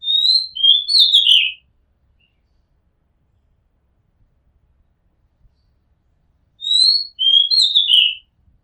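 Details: Rooftop recording of an Oriental magpie-robin: a rich phrase of sliding whistles and a harsher twittering ending, a pause of about five seconds, then a similar whistled phrase repeated, background otherwise quiet.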